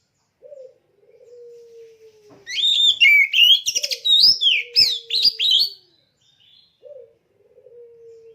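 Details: A caged oriental magpie-robin (kacer), readied for competition, delivers a loud flurry of varied, sliding whistles and sharp chattering notes. A low, steady drawn-out whistled tone recurs before, during and after the song.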